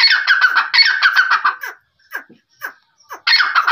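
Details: Quail producing fast, grating chatter in loud bursts, separated by a few softer, scratchy notes, then a renewed burst at the end.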